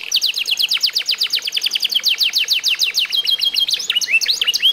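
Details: Canary of the F1SF line, eight months old and song-tutored, pours out a long rapid trill of falling notes, then shifts into curling whistled figures near the end.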